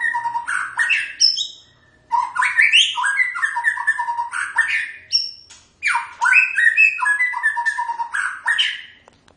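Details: White-rumped shama (murai batu) singing a rich, fast-varied song of whistled and slurred phrases, broken by short pauses, with rising sweeps and high thin notes mixed among lower warbles.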